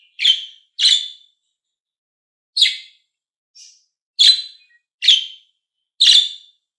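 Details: Budgerigar (Melopsittacus undulatus), call.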